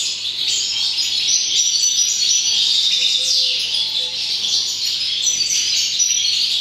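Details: Goldfinch song from 2019: bright, fast twittering with clear whistled notes and buzzy trills, delivered in a steady, unbroken stream of about four short elements per second.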